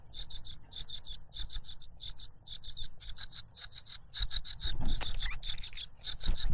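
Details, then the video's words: A cuckoo chick begs raucously from its foster father, who pushes a butterfly into its beak; fast high buzzy pulses grow louder and denser in the second half, alongside low rustling. "The cuckoo bird is too noisy when trying to grab food杜鹃鸟抢食太吵闹了"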